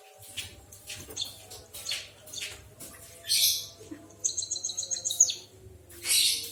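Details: Canary-like singing from a white-headed munia: scattered high chirps and noisy bursts, then a fast rattling trill of repeated high notes that ends in a sharp squeak, with a quiet low hum.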